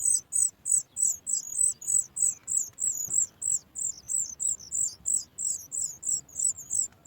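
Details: Sooty chat chick at the nest, calling as its mother brings food: a rapid series of very high, short, slurred chip notes, about three per second, steady and insistent throughout.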